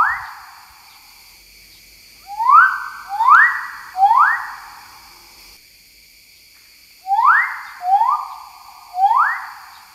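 Magnificent riflebird giving loud, ringing whistles that swoop sharply upward then hold, delivered in quick sets of three with pauses between, in an otherwise quiet setting.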